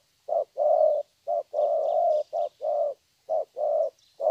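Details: Deep, hollow cooing of a young wild-caught spotted dove in 'thổ' style, brief clipped notes each followed by a longer rolling coo, the phrase repeating; faint high bird chirps in the background.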